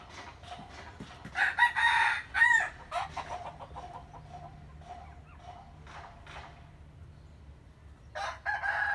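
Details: Chicken crowing in the morning: a hoarse, harmonic crow of about a second and a half, surrounded by short, irregular clucks and scattered calls, with a louder burst at the end.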